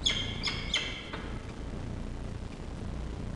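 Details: A peregrine falcon chick at feeding time in the nest of female Diamond and male Xavier, Charles Sturt University campus, Orange, Australia, 2 October 2023, gives four sharp, high, ringing chirps in about a second over a low hum.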